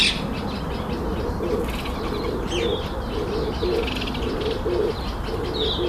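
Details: Red-eyed dove during display, giving a steady run of low, muffled coos repeated about once a second over a constant hiss, with thin high chirps from other small birds in the background.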